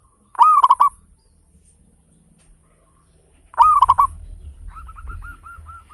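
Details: Loud local zebra dove with a big voice and attractive beat, a lure for other birds: two bursts of rapid rolling coos three seconds apart, then a softer run of evenly spaced hooked notes.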